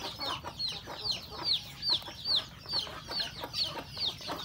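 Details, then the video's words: Chickens eating breakfast at a rural home, roosters and hens together; clear high peeps sliding downward, repeated about twice a second in a fairly even rhythm over a soft background of clucking. "Beautiful sound of chicken eating breakfast, Roosters and Cutest hen"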